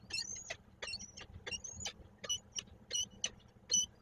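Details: Peregrine falcon at a nest in Koszalin, recorded 15 March 2022: a series of short, sharp calls, each sweeping steeply downward from high pitch, given in quick irregular succession over a low steady hum.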